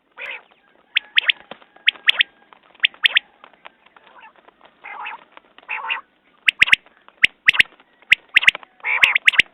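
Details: Quail (batair) call series tied to quail hunts: buzzy notes and crisp clicking pairs in irregular runs, rising to denser, louder phrases near the end, with nothing else clearly heard.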